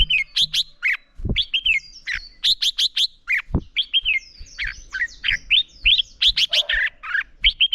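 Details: Red-whiskered bulbul in morning fighting song (hót đấu), training a young bird's voice: clear rising-falling whistles alternating with clipped sharp chips in quick sequences, a couple of low thumps early on.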